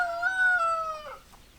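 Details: Tail of a rooster crow: a loud, steady harmonic note that bends downward and fades out after about one second, leaving quiet background.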